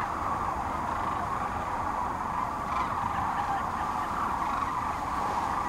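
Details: Huge spring congregation of sandhill cranes on the central Nebraska Platte River, mid-March 2009, before continuing north; a far, even roar of countless overlapping rolling calls.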